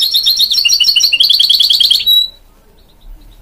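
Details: Rapid, rolling trills from a goldfinch-canary hybrid mule, the notes stepping up and down in pitch for two seconds, closing on a short clear whistle, then a faint note or two.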